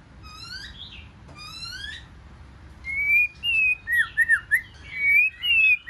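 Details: Competitive song from a wild-caught white-rumped shama: two harsh, harmonic rising notes open, then after a pause come clear, sustained whistles and quick up-and-down warbled notes, loud and ringing.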